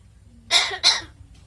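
A common hill myna gives two quick, harsh, breathy bursts in a row, much like a human cough, over a faint low hum.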